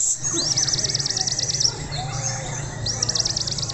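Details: Young white-rumped shama, Indonesia: a fast, high, warbling trill of rapidly repeated up-down notes, a pause, then the trill starts again over a low hum.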